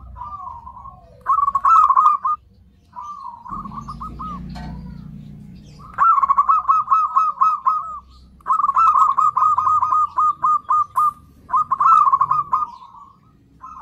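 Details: Zebra dove lure call to draw in other zebra doves: long runs of rapid, pulsed cooing notes repeated in several loud phrases at a steady pitch, with a soft low rumbling noise in one pause.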